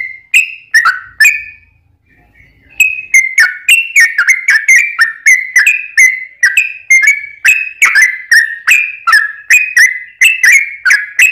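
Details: Yellow-vented bulbul delivering a long rapid song used as a lure for other bulbuls; a few whistled notes, a short silence, then an unbroken run of bubbly, slurred notes, some rising and some falling.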